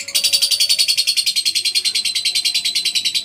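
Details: Lovebird long ngekek for master training: a rapid, even rattle of sharp, buzzy notes at roughly eight per second, held steadily over faint low background sounds.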